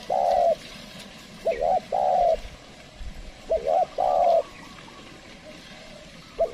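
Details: Trained decoy spotted dove calling to lure wild doves, which stay away. It gives low, mellow cooing phrases: a short two-part wavering coo followed by a long steady coo, repeated about every two seconds over faint background hiss.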